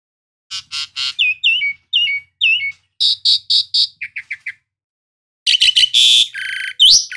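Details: Loud, varied Asian pied starling phrases: harsh rattled notes, then slurred downward whistles, a row of quick chips, a pause, and coarse buzzy bursts ending in a sharp rising whistle.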